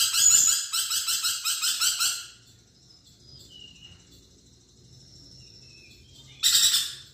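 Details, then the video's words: Lively, vocal lorikeet giving harsh, buzzy screeching in rapid pulses of about three per second for two seconds. A quiet gap with faint soft notes follows, then another burst of grating chatter at the end. "BURUNG NURI PERKICI GACOR"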